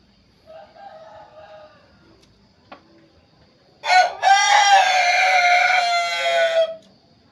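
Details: Chicken crowing melodiously, after a few faint low sounds and a single click, in one loud, rich, harmonic crow of about three seconds that begins with two short bursts and then holds a long, steady, slightly falling tone.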